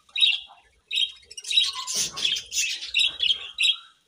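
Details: Budgerigars chirping in the morning: bursts of bright, scratchy warbles and squeaky chirps, some rising, in quick irregular runs with short pauses between them.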